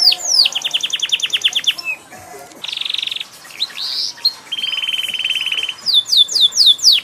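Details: Canary in loud, varied song: quick repeated whistled notes, two long flat buzzy trills separated by short sweeps, and finally a burst of sharp falling whistles.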